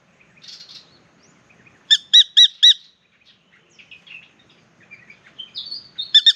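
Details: A spangled drongo of unknown sex, come down from the treetops to sing and bathe while its partner calls from the tree overhead, gives a burst of four loud, metallic, ringing notes in quick succession among scattered softer chattering and twanging notes.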